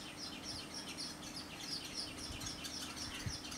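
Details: Eastern golden weavers (Ploceus subaureus) in Zanzibar, Tanzania, chatter with quick, high, sizzling chirps, several overlapping several times a second over a low background hum.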